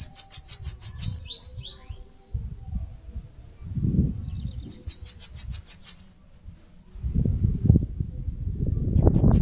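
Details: Bananaquit, known locally as caga-sebo, singing while building a nest in a mandacaru cactus in Brazil's Northeast: rapid series of high, thin, buzzy notes, then quick upswept whistles, phrase repeated twice over a steady low rumbling background.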